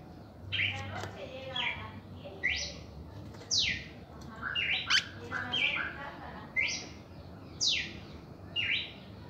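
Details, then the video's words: Red-crested cardinal reaction song: a lively series of sweeping whistled notes, roughly one a second, mixed with buzzy, rapid chatter phrases and a low hum throughout. "Canto de Cardenal Cardeal 1°Reacción en Canto"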